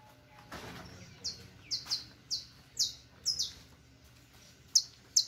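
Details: Canario criollo, the saffron finch, singing a teaching song: evenly spaced high, slurred chirps, several paired, dropping in pitch, after a brief soft rustling noise at the start.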